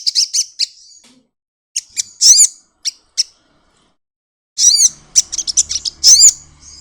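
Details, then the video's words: Sunbird, wings opening as it sings 'nyepion': a few high chirps, a pause, scattered arched notes, then a loud rush of shrill chattering notes over a low background hum. "burung kolibri madu bunyi buka sayap nyepion"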